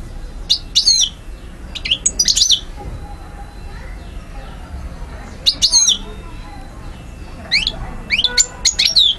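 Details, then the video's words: European goldfinch from Algiers, Algeria, 2012, giving bright twittering bursts of high chirps and upward sweeps, grouped in clusters separated by pauses of one to three seconds over faint low background noise. "Carduelis* chardonneret* jilguero* حسون alger"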